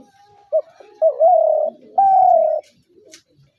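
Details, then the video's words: Spotted dove kept as a hunter's dove: a clipped introductory note, then two sustained, slightly falling hollow coos about a second apart, over quiet low background cooing. "শিকারী ঘুঘুর ডাক ২০২৩ /Dove birds sound effects /gugu pakir dak"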